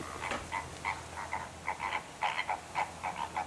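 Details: Greater flamingos (Phoenicopterus roseus) visiting Rondevlei near Wilderness, Garden Route, honk as a flock: short nasal goose-like notes overlapping almost twice a second, with a faint low hum beneath.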